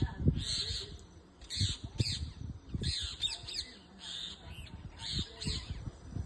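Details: Parrots in a moringa tree in a backyard giving harsh, raspy squawks in short bursts, repeated about every half second to second, with low rumbling wind or handling noise underneath.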